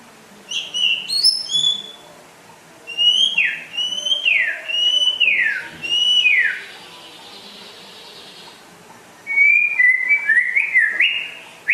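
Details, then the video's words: Rare white-rumped shama from West Aceh, a persistent singer, giving clear whistled notes that each slide sharply downward, in bursts separated by quiet pauses, then a quick rising and falling whistled phrase. "Kicau Burung Murai Asal Aceh Barat Langka Gacor Jos"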